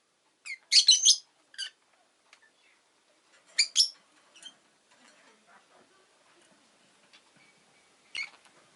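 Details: Harsh, rasping chirps from a Rosy-faced lovebird, in short clustered bursts of two or three, separated by quiet pauses with faint clicks, then one lone chirp at the end.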